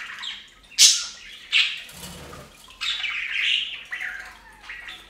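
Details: Bathing budgerigars at a fountain make sharp high chirps, then a rolling raspy warble; a brief splash of water sounds midway.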